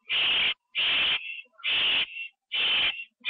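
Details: Nest-box owl on 9 October 2011 at 9:54 PM as a delivered bird is eaten inside; four long, harsh hissing screeches, each trailing into a thinner tail, separated by short silences.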